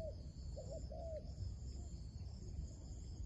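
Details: Wild dove coaxed toward a trap, uttering three quick soft coos at the start, the last longest and slightly falling, then fainter notes under a persistent shrill insect drone.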